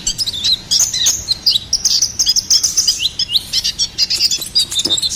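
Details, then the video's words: Energetic gacoran song of a ruby-cheeked sunbird intended as a songbird master tutor: a continuous torrent of thin, high chirps and squeaky slurred notes, steady and fast throughout. "SUARA GACORAN KONIN KOLIBRI NINJA"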